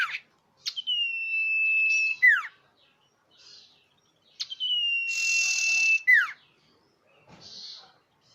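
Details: Lure call of the common iora, clear and loud. A long, level whistle is held for over a second and ends in a sharp downslur. It is repeated twice, with a buzzy burst and faint chirps between.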